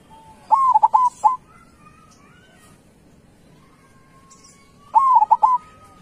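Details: Kept local zebra dove (perkutut lokal) singing two bursty cooing phrases about four seconds apart, each a rising opening note then three quick throaty pulses, with a faint steady tone between phrases.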